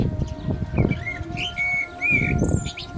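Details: Mellow whistled notes from a common blackbird, singing during the call to prayer, include a drawn-out level whistle and a short upturned phrase, then a high thin note, against a constant low background hum.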